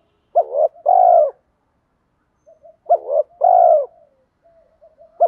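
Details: Spotted dove lure call for stimulating wild birds. Two full phrases, each a wavering short coo then a long steady hoot, with quiet low murmurs between and the start of a third phrase.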